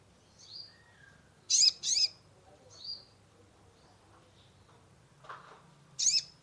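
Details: Sunbird (kolibri ninja) lure song for a stressed caged bird: scattered soft high whistles broken by loud, sharp double chirps, with long quiet gaps.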